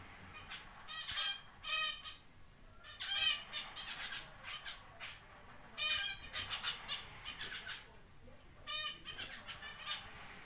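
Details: Zebra finch chick on its first day out of the nest, after its first flight; short nasal, harmonic beeping calls in irregular bursts, some in quick doubled pairs, with quieter calls between.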